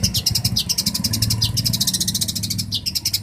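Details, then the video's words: Long-tailed shrike, a champion bird from Banyuwangi used as master song for training shrikes: dense, rapid chattering of high, clicking notes in a continuous stream, with a low engine-like rumble underneath. "MASTERAN CENDET JUARA"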